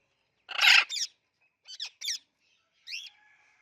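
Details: Pet Indian ringneck parrot that talks, producing one loud rasping click burst followed by a quick double click and a final short click trailing into a thin whistle.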